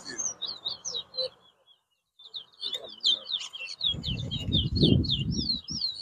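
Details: Competition Towa towa at Bath Settlement, Guyana, 2022, pouring out quick looping whistled notes in a continuous run, broken by a short pause, with low rumbling crowd noise and voices underneath.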